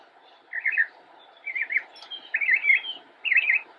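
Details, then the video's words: Young Northern mockingbird perched in a bush, Cabarrus County, North Carolina, October 2016, delivering four short warbled bursts roughly a second apart, each a jumble of quick rising-falling notes. "Northern Mockingbird - Singing from Bush"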